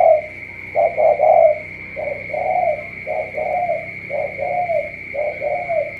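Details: Spotted dove from Cà Mau cooing in low repeated short-long phrases, a quicker cluster opening the sequence, with a constant high-pitched hum throughout.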